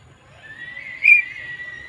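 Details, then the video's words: Javan myna, recorded 20 May 2024: a sustained whistled note holding level, with a brief louder burst near the middle; quiet low hum underneath. "Suara Burung Jalak Kebo"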